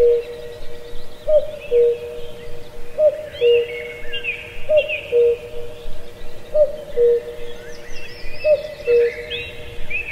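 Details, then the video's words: Cuckoo in a deep ancient forest at Pallandri, Azad Kashmir, repeating its low falling two-note cu-coo five times, about every two seconds, while other forest birds whistle and chatter higher up. "Cuckoo Birdsong"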